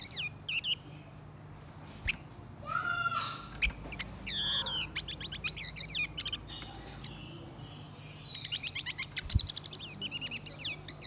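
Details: Male and female blue-winged minla performing lure song to stir up wild birds, a varied stream of rapid high chirps, slurred whistles and buzzy trills, rising and falling in loose phrases across the whole recording.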